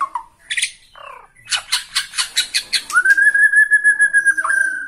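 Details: Bornean white-rumped shama, fired up by a rival and singing on one perch: a few short notes, a run of buzzy pulsed calls, then a long, sustained clear whistle that wavers slightly.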